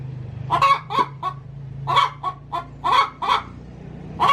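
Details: Coop-bound hen giving her pre-laying cackle, clipped raspy notes in twos and threes against a low continuous hum.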